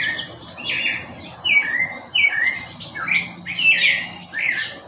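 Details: Spectacled thrush singing short, clear caroling phrases at dawn, with busy high chattering of green-rumped parrotlets, the strong call of a greyish saltator and other birds of a dawn chorus.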